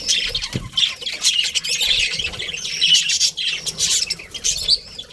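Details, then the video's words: Budgerigar colony of colourful birds: raspy squawks and warbling chirps overlap in a steady, busy chatter, louder swells coming every second or so. "Colourful Budgies Chirping Sounds"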